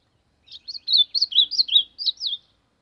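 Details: Ultramarine grosbeak singing to warm up: a lively two-second phrase of about ten quick whistled notes that rise and fall, clear and close against silence.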